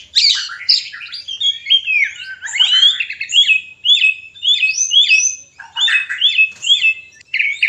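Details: White-rumped shama song, played to bring a reluctant bird into breeding condition: rich, fluid phrases of whistled notes, many sliding and rising, interleaved with harsher chatters, delivered continuously in short bursts.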